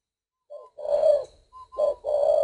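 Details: Spotted dove in northern Vietnam, kept at a breeding facility, calling with deep, mellow coos: a soft short note, then a long rolling coo, a pause, and another paired phrase.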